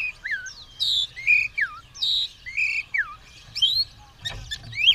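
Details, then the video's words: White-rumped shama (kacer) ready for a fight, tail spread, repeating paired phrases: a high whistled note followed by a falling slur, roughly once a second, then a few sharp chirps. "Burung kacer siap tarung buka ekor gacor"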